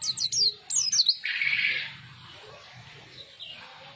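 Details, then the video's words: Newly caught Javan white-eye giving its ngriwik twitter: quick, high, thin chirps sliding downward, then a brief buzzy burst, over a quiet low background hum. "pleci ngriwik"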